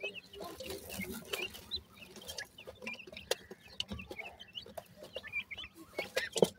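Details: Grey francolin chicks, or bhura teetar chicks, keep up soft, repeated high peeps in a continuous scatter, accompanied by clicking and a faint background hum.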